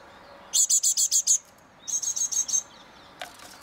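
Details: Great tits on an eleventh floor in Mariahoeve, The Hague, in May 2023: two quick bursts of very high, clipped notes, about six in each, separated by a short pause, followed by a single faint click.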